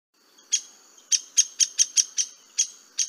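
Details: A Downy Woodpecker, a cavity-nester in Florida, gives its distinctive call: a string of about nine sharp, high, squeaky notes at an uneven pace, some quick and some spaced out, over a quiet background.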